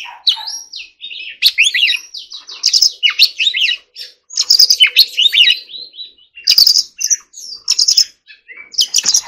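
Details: Forest-voice song from an Oriental magpie-robin being trained to sing: long run of fluid rising and falling whistles and dense twittering, with short silent gaps around 4 and 6 seconds.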